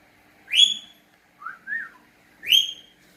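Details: Pet cockatiel indoors, whistling back and forth with its owner: two loud, harsh, rising calls about two seconds apart, with two soft whistled notes between them that rise and fall.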